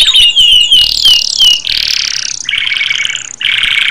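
A canary sings a quick series of bright, high whistled notes, then breaks into dense buzzy rolls and rapid trills, loud and continuous.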